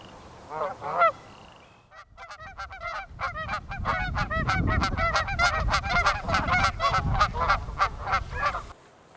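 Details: Canada Geese in southern Alberta's Oldman River Valley in spring, bathing before choosing nest sites, honk: two loud calls, a brief pause, then a fast overlapping burst of nasal honks from several birds, with low rumbling noise underneath.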